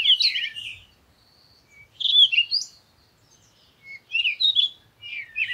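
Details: Squeaky, warbled call phrases from a parakeet, four separate bursts of chirps roughly a second apart, each a tight cluster of rapid slurred notes.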